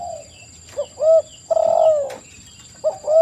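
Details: Brief spotted dove phrase: a short coo, a curved rising-falling note, then one longer sustained coo, with faint high chirps and a steady electronic whine.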